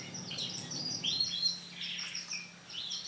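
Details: Female yellow canary in breeding condition, calling to lure a male, gives quick high chirps and short sliding whistled notes, some rising and some falling, in close succession over faint background hum.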